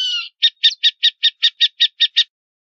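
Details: Burrowing owl (Athene cunicularia) opening with a brief rasp, then a rapid run of ten short, clipped chattering notes at about five per second, evenly spaced and steady in pitch; nothing else audible.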